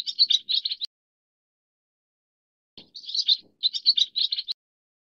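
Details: Leucistic Pacific swallow (Hirundo tahitica) giving bursts of high, rapid twittering chirps, short runs of notes separated by pauses of about two seconds.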